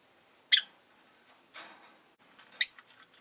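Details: Three short, high chirps from caged rosy-faced lovebirds near a window in winter, spaced about a second apart, the last ending in a brief thin whistle, with soft low rustling between.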